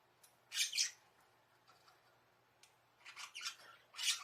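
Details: Budgerigars kept in a small indoor bird house, filmed by a camera placed there secretly, calling for their keeper to come and play. Bursts of harsh, high squawks are spaced by quiet gaps, with a clustered run of calls near the end.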